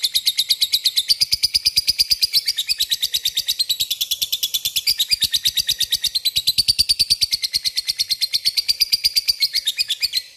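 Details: Lovebird in full song calling a rival with the ngekek chatter: a continuous, very fast, shrill rattling trill whose pitch swells and dips slightly, sustained for over ten seconds without a pause.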